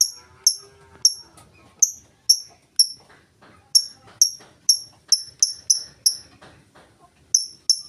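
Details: Lovebird giving ngetik ticking song with no chattering trill, meant to prompt other lovebirds: high crisp chirps in an irregular rhythm, sometimes in quick runs of three or four, with a short pause.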